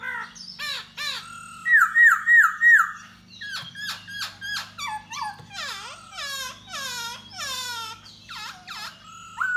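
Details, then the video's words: Da Bò laughingthrush singing while dancing to lure a female. It opens with sharp notes, then a run of four quick looping whistles, then a long fast series of chattering, squawky notes that rises and falls in loudness. "Khướu Da Bò Hót Múa Dzụ Mái"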